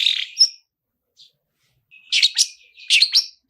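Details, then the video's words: Long-tailed shrike in rich fill song used as a lure: a buzzy opening note, a silent gap, then paired chirps with thin whistled slurs. "SUARA TOET TOET SAMBUNG ISIAN MEWAH DIJAMIN LANGSUNG ON, PANCINGAN CENDET GACOR ISIAN MEWAH"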